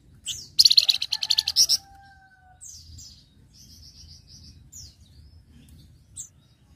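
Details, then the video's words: Flamboyan singing, a master recording used to train other songbirds: a loud rapid burst of high chirps, then a drawn whistle, descending slurs and a short row of even high notes over a quiet low hum. "Flamboyan Gacor Masteran"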